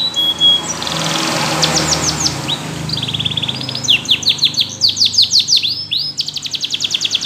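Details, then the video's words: Canaries singing, starting softer with fast trills and building into loud repeated sweeping notes and a rapid, even rattling trill at the end. "Yellow canary singing"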